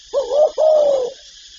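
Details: Spotted dove giving a two-part coo: a wavering opening note and then a longer, smooth, gently falling coo, deep and soft, close and clear.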